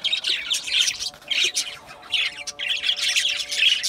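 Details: Budgerigars chattering together in a dense, continuous stream of scratchy warbles and chirps, in bursts separated by short pauses, over a faint steady low hum.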